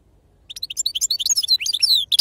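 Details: European goldfinch in its authentic wild 'khalwi serfati' song: a hurried stream of bright, tinkling, high-pitched twitters with quick slurred notes.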